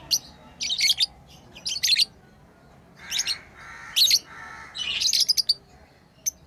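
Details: Lovebirds at play as pets give shrill chirps and rasping buzzy calls, short sharp bursts alternating with longer harsh notes, ending in one thin squeak.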